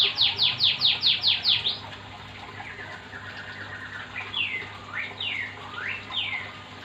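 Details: Singing Oriental magpie-robin, a training recording to stir others into song: a fast series of descending whistled sweeps, then slower, quieter rising and falling whistles spaced about half a second apart over a hissy background.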